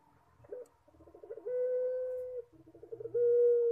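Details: A collared dove of the Indonesian "puter pelung" type coos twice, in a song said to sound like a person crying: a low rolling stutter of quick notes flattening into a long, steady, hollow hum, about two seconds each.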